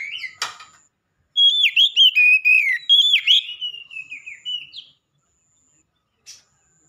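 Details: Black-breasted oriental magpie-robin in loud song: a scratchy opening note, then a run of clear, pulsed whistles dropping in pitch and a long wavering descending whistle that tails off.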